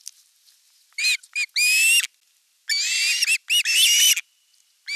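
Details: At a Finnish osprey nest in the Satakunta region on 5 August 2024, during fish delivery with the older chick attacking the younger: a few shrill broken whistles, then drawn-out, harsh, quavering screams in bursts.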